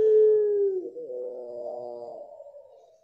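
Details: Pelung dove of mottled blorok type giving a long pure held note that dips, followed by a rich, wavering, harmonic coo that fades away.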